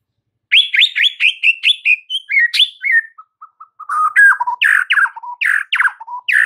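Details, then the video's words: White-rumped shama master song for caged-bird training: rapid repeated high chirps, a few soft low notes, then loud rich phrases alternating between bright bursts and lower whistles. "MASTERAN Murai Batu"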